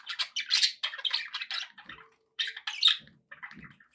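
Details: Budgies kept as pets produce a quick burst of grating chirps and squawks, then a short pause and softer scattered notes alongside faint low knocks.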